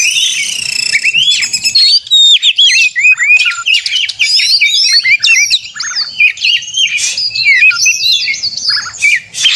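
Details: White-rumped shama in fighting song, played to rouse other shamas to sing and spread their tails; nearly ten seconds of varied, rapid whistles, slurred upsweeps and sharp chips, loud and continuous with only tiny breaks.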